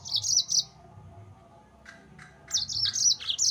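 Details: Yellow-fronted canary song used as a lure to provoke rival birds: bright high chattering trills in two bursts, a brief pause with faint chips in between, the second burst longer and fuller.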